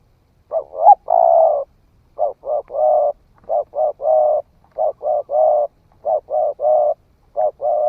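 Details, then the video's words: Spotted dove, a young bird that has just begun calling, tried out in the forest; dense series of low cooing phrases, short double notes followed by longer hoarse coos, packed closely over eight seconds in a quiet background. "Tiếng chim cu gáy mới nổi thử rừng"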